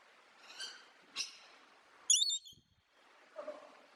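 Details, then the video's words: Parrot chirping, with a few soft, raspy notes followed by one loud, sharp burst of rapid high chirps, then a faint, lower call near the end against light room noise. "Parrot Chirping Sound"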